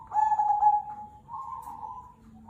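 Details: Local Zebra dove of the cemani kolbuntet type, a loud singer; a low, smooth hooting coo held level, then a second softer drawn-out coo, quiet background.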